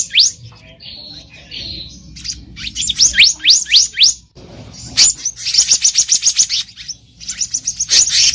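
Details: In the wild, a black-naped monarch recorded as a bird-trapping lure: several sharply rising whistled notes spaced irregularly, then a long rapid series of piercing high notes, pausing briefly before resuming.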